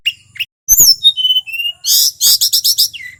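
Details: Male tledekan gunung of Merapi singing in full to rouse other birds: a few thin whistles, then a loud series of about six rapid buzzy bursts and a falling whistle.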